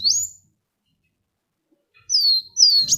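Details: Sunbird song for luring other birds: a single shrill rising whistle, silence, then two loud, drawn-out high notes sweeping downward, with a little low noise at the end.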